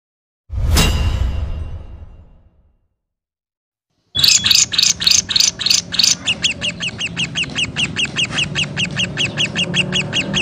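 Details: Lovebird of the fighter type giving its long ngekek chatter, used to provoke other lovebirds and to tutor other birds. A loud broad burst, a pause, then rapid high pulsed chatter that runs steadily to the end.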